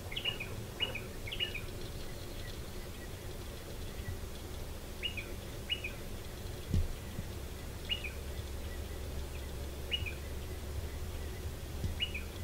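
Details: Striated pardalotes at their nest in a stone wall beneath a shed; paired two-note calls, clipped high note then lower slur, repeated every one to two seconds over steady low hum.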